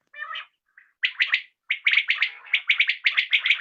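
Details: Common quail calls recorded in the evening. A short, low opening note is followed by dense, overlapping three-note bursts that quicken toward the end, as if several birds are answering one another.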